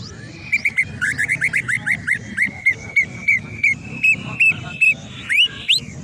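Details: Master song of a greater green leafbird for training: a fast, loud series of bright whistled chirps, each a short rising or falling note, repeated several times a second, ending in upward slurred whistles.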